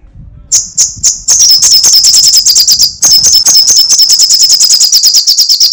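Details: A few spaced high ticks start off, then this sogok ontong or srigati sunbird breaks into rapid, shrill crecetan chattering that runs on without pause to the end.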